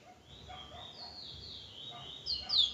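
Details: Bullfinch from Trinidad singing a quiet, high warbled phrase that brightens and grows louder toward the end, over a soft low background hum.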